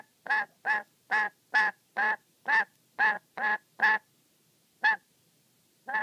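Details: Black-capped lory, a pet, scolding angrily and warily while guarding play with its beloved sock; a rapid run of about nine coarse, honking squawks, then a pause and two more spaced calls.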